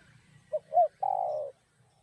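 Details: Spotted dove (cu gáy) singing in the Vietnamese 'giọng đồng' style, a song used to stimulate and provoke other doves: one phrase of two short hooting coos followed by a longer, steady, slightly falling croon, over a faint low hum.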